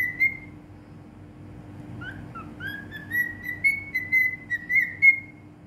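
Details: Cockatiel whistling a song in Bahrain, opening with a short clear whistle, then after a pause a chain of slurred notes rising into long, level, pure whistles with brief dips, above a quiet steady background hum.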